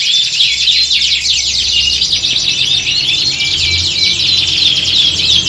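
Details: Several canaries singing together in a contest-like setting, used to train birds for singing competitions: a dense, continuous wall of high warbling trills and whistles, with a low steady hum underneath.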